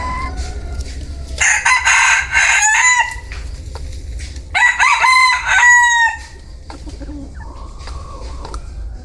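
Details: Bantam rooster crowing twice, each crow a loud harmonic-rich call of about one and a half seconds with a drawn-out ending, separated by a short pause; low hum and faint background noise between crows.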